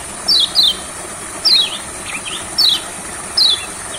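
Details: Olive-backed sunbird in a rice field, used as singing therapy: sharp, high, thin notes sliding downward, given singly or in pairs about once a second over a faint rural hiss.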